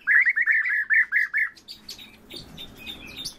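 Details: Two orioles kept in captivity call together. A quick series of loud, evenly spaced mid-pitched notes lasts about a second and a half, then softer, higher scattered chirps follow.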